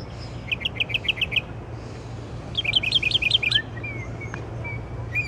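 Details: Bird singing away in the middle of the night: two fast bursts of rapid chirps, followed by scattered thin whistled slurs; quiet low hum in the background.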